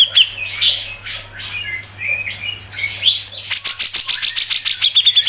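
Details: Grey-cheeked bulbul, known locally as cucak jenggot, in 'mbeset ngepik rapet' tutor song: quick whistled and scratchy slurred notes, then a sudden fast series of loud, harsh clicking pulses to the end.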